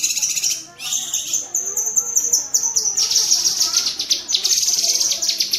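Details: Cucak kinoi, a bulbul, in a tembakan cerecetan chatter meant as training audio for songbirds: uneven high notes and twittering strokes build into a continuous rapid rattle.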